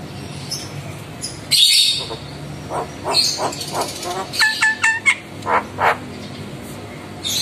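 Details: Javan myna singing actively, reacting with head-nodding to calls from other mynas: short chirps, then a burst of clear whistled notes in quick succession and a few harsher chirps, over a faint background hiss.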